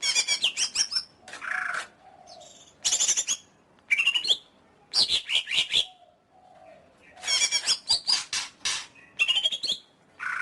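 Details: Greater green leafbird singing energetically: fast staccato note series, harsh rasps and rising whistled slurs, repeated in bursts across the clip with short pauses.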